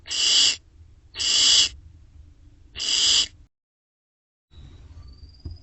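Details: Barn owl owlets in nest box C during late May and early June 2025 give three harsh screeching hisses, each about half a second, roughly one per second, then silence and a faint thin whistle.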